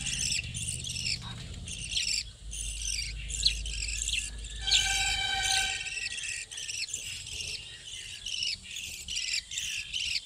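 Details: Budgerigars in a colony kept in a hut rather than cages: a dense chorus of high, buzzy chirps and warbles overlapping without pause, with one longer, more tonal call rising through the middle.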